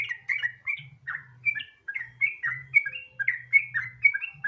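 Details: Sooty-headed bulbul (trucukan) singing lively rapid phrases, offered as a lure to trigger other bulbuls into song; chirpy whistled notes, some rising and some falling, grouped in quick bursts, over a low electrical-sounding hum.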